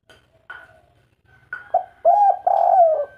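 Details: Spotted dove, local kuk 3 cooing style: faint higher tones lead into a few loud, hollow coos, one stretched and gently falling, with a thin steady whistle-like tone running alongside.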